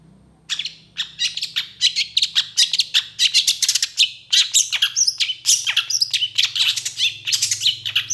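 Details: Full-fill training song of a long-tailed shrike said to react fast and emotionally to rival shrikes: a dense, unbroken stream of sharp, varied chirps, buzzy notes and quick trills lasting about eight seconds, with a soft low hum.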